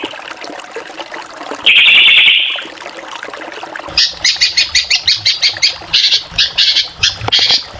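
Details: Drongo singing vigorously: a loud rasping buzz, a pause, then a rhythmic string of ringing, stuttered notes at about three per second, with a low hum beneath.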